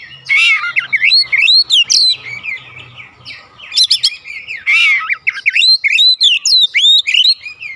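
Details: Oriental magpie-robin singing to elicit replies from other birds at home: energetic whistled phrases with steep slurs, harsh rasps and quick chip series, faint low hum in the background.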